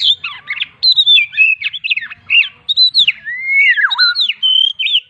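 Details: Melodious White-rumped shama song, a training master for songbirds: varied clear whistles with sharp downward slurs and a long rising then falling note, delivered in rapid, continuous phrases.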